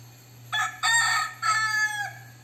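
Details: A crossbred rooster of the fighting-cock type gives one full crow in several harsh, ringing syllables, the middle ones longest and loudest, trailing off at the end, over a steady low hum.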